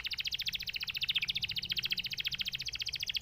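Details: Canary singing a fast, even trill of buzzy pulses, roughly sixteen per second, high and bright with a slight wavering pitch, steady throughout with a faint low hum beneath.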